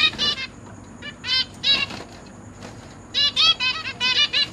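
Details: Caged zebra finches, a pair with three juveniles and three newly hatched chicks being fed by the parents, recorded 29 September 2023: bursts of nasal, harmonic-rich calls, some short and some longer buzzy runs, in three clusters with quiet gaps and a steady high hum.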